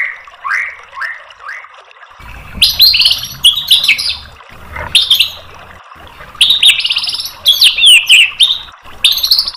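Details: White-rumped shama song used as tutor material to stir a bird to answer: soft rising whistles first, then loud bursts of rapid high chattering notes and sweeping slurs in quick succession.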